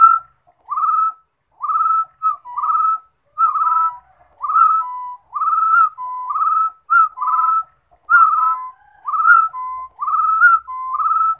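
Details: Rufous-throated partridge singing: a steady series of clear whistled notes, often in pairs, each rising or slurred upward, about sixteen notes in eleven seconds with short silent gaps, no other sounds.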